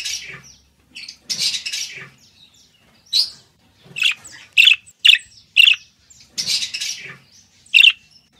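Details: Budgerigar singing, used for taming pet birds: grating chatter bursts followed by a string of four clear, bright chirps about half a second apart, then more raspy chatter.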